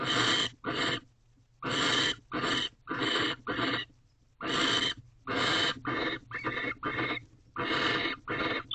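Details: In a nest box at 6:11 am, 19 March 2023, a male barn owl courts the female with a rodent. Clusters of harsh, rasping hisses run in groups of three to five with short silent breaks.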